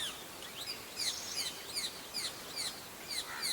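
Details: Pale-billed flowerpecker (Dicaeum erythrorhynchos), a tiny nectar and berry feeder, giving its rapid chipping call: thin, sharp, high chips, several a second in quick uneven bursts, over faint background hiss.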